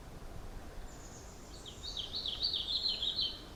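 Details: Painted Redstart of Southeast Arizona calling: a thin, high note, then a quick, bright warbled phrase of rapid chirps over about two seconds, with a low background hiss throughout.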